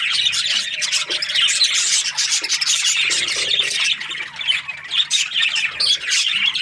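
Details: Budgies in the morning keep up a busy, overlapping chatter of squawks and thin chirps, with brief low knocking sounds in the background.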